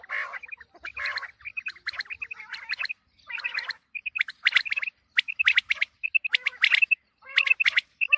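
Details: Quail calling ahead of the coming wheat season: bright repeated short notes near one pitch in quick series, interleaved with harsher buzzy bursts, several calls overlapping.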